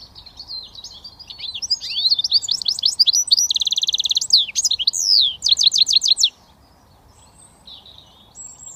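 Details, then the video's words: Switty song from a goldfinch mule, a British finch hybrid: liquid warbling twitters, a loud buzzy rattle in the middle, clipped rising chirps, then a quiet pause with a few soft notes. "Goldfinch mule switty"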